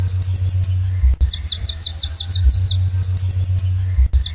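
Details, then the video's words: Sunbird singing in lively form: quick bursts of very high, thin chirps, each note sliding downward, delivered in rapid series with short pauses, over a steady low droning hum. "Kolibri Ninja Gacor Dor Suara Burung Terbaik"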